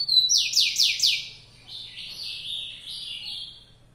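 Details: ['Rufous-collared sparrow, called fibrado, starts with a high whistle and four rapid loud descending slurred notes, then trails off in softer wavering whistled phrases over a low background hum.']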